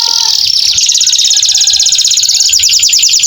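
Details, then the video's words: Canary in sustained 'gacor' singing, meant to restart singing in canaries after the molt. A short lower whistled opening gives way to a dense, rattling high trill repeated without a break. "KENARI GACOR PANJANG cocok buat TERAPI KENARI MACET BUNYI"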